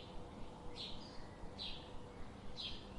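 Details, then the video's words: A bird gives sharp, high chirps that slide downward, repeated roughly every 0.9 seconds, three in all, over a soft low hum. "Birds sound"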